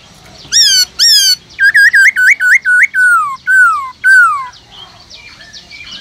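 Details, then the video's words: Caged black-throated laughingthrush singing loudly to stimulate other birds, a varied run of strong whistles: two harmonic-rich rising notes, a rapid wavering trill, then long descending slurred whistles, ending in faint background chatter. "Khướu bạc má kích trống căng lửa HÓT GIỌNG RỪNG kích khướu nhà hót sung nhanh nổi"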